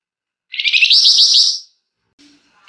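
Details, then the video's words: Flamboyan singing gacor in a long, dense ngebren with emotional nyecret, used as a lure to prompt other birds to sing: a high, buzzy, rapidly trilled chattering burst of about a second, then a brief faint note and the start of another burst. "Burung Flamboyan GACOR Ngebrenn RAPET PANJANG!! Nyecrett Emosi Cocok Buat Pancingan"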